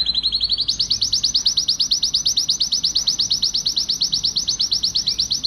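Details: Agitated male canary song for encouraging mating. A low trill rises into a brighter, higher, rapidly pulsed roll that repeats evenly to the end.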